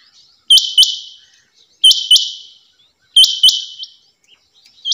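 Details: Female rain quail calling: sharp high doubled notes, each pair trailing into a short buzzy fade, repeated roughly every one and a half seconds in a quiet setting.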